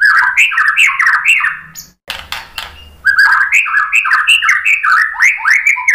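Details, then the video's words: White-rumped shama showing off its song repertoire to spur other birds to answer. Fast jumbled whistled phrases with clicks give way to a short pause and a noisy burst, then a rapid string of varied slurred notes. "Kicauan MURAI BATU bikin NYAUT ikut BUNYI GACOR BONGKAR MATERI ¦ PANCINGAN MURAI"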